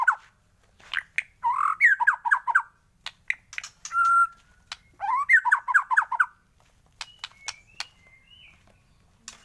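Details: White-rumped shama morning training song: rich whistled phrases with rapid rising-and-falling trill runs in two main bursts, then softer high notes and faint clicks.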